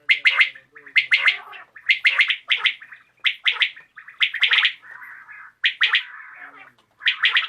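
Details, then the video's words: [['Evening calls of a common quail: quick triplets of sharp, liquid clicking notes, repeated in a steady run with brief pauses, and a few softer, blurred notes between phrases.']] "COMMON QUAIL CALLING | BATAIR KI AWAZ | AJ SHAM KI RECORDING"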